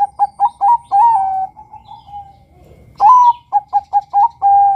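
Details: Bangkok-type male zebra dove calling to lure males: fast clipped coos running into a long wavering coo, then after a short gap a bright rising note and another burst of rapid coos ending in a held tone.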